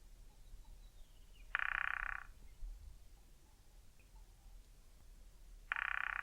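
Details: Male Cardinal Woodpecker drumming on a dry tree trunk to declare territory, find a mate and keep in contact with its mate: two short, even, rapid rolls of dry taps about four seconds apart over a quiet background.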